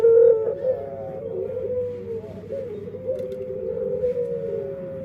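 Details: Dove's odd-sounding song: a loud, bright opening note, then a long series of softer wavering tones that rise and fall slightly.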